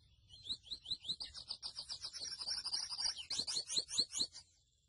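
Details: Mochuelo song from a grey seedeater: rising whistled slurs repeated in a quick series, blending into a dense trill, then several loud downslurred notes before the song fades out.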